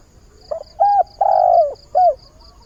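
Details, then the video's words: Spotted dove kept as a decoy, giving its mate-seeking morning call: a soft lead-in, a short coo, a long sliding coo and a final falling note, with faint rhythmic high ticking behind. "Tiếng chim cu mồi giọng hạp bổi, ngày mới gáy gọi tìm bạn"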